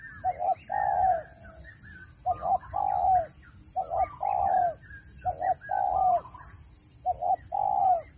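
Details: Spotted dove calls used to lure birds into traps: repeated low, hollow coo phrases, each a quick double hoot leading into a longer coo, about five phrases evenly spaced, over a thin constant high-pitched whine.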